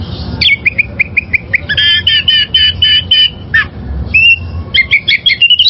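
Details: Wild oriental magpie-robin song used to train caged birds: a loud string of evenly repeated whistled notes, a richer rattling series, then a falling note and more rapid whistles, with low background hum.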